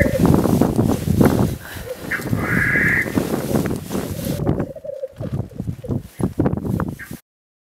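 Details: Black grouse in the Swiss Alps: one loud hoarse hiss, then a brief low bubbling phrase. Scattered knocks and rustles continue as the sound fades toward the end.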